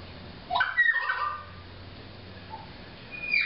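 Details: A Pied Currawong in Byron Bay, NSW, Australia, gives a loud, gurgling burst of rising and falling notes, then a clear rising whistle after a short pause, over a faint background hum.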